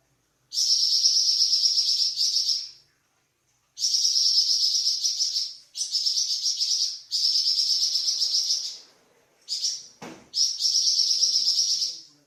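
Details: Flamboyan bird in varied song used to tutor cucak ijo and magpie robin: long, dense, buzzy rolling trills, each lasting two to three seconds, separated by short silences, with a sharp click near the end.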